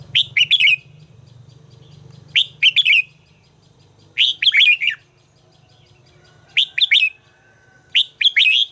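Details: Red-whiskered bulbul trained for song sings five similar short phrases of rapid slurred notes, roughly every two seconds, with a low hum beneath the first half.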